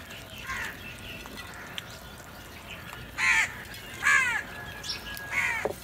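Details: Crows brawling for food: softer caws at first, then three loud, harsh, slightly descending caws about a second apart, all coarse and nasal.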